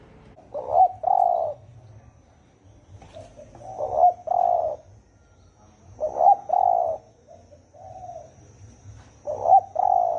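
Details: Spotted dove singing in the deep-voiced thổ ồm style: a low, hollow two-part coo phrase repeated about every three seconds, each phrase a short note followed by a longer, fuller one, with a quiet background.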